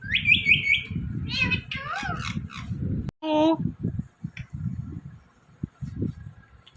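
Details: Talking Indian ringneck parrot: high squawky notes and warbled syllables open, then a loud, nasal, harmonic word; a person speaks softly afterwards with occasional clicks in a small room.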